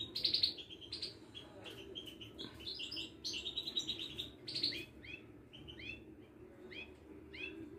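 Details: Moroccan Widani European goldfinch, a caged songbird, from a Casablanca bird market. It sings a lively, varied twitter of high liquid chirps, buzzy notes and quick upward-sweeping whistles in a running stream, with steady low background hum.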